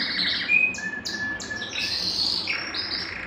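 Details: Short Belgian canary phrase, sung to stimulate males and bring hens into breeding condition: clipped whistled notes at varying pitch, a few sharp downslurred chips, then a bright rising buzzy passage.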